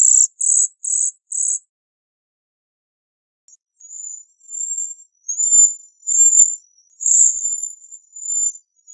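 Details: Bohemian waxwing opening with four short, buzzy, rattling trill bursts in quick succession, then after a pause a stream of high, thin, wavering sibilant trills that grow louder.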